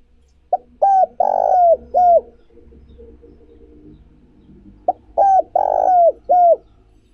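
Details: Spotted dove cooing, used as a lure to rouse freshly caught doves and train decoys: two identical phrases about four seconds apart, each a quick clipped note followed by three low hoots with a long husky middle coo, faint background hum between.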